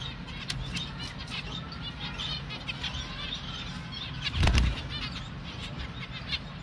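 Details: Baby finch being hand-fed, giving a run of short, high, thin chirps repeated through the whole stretch, with one louder broadband burst midway, all over a steady low hum.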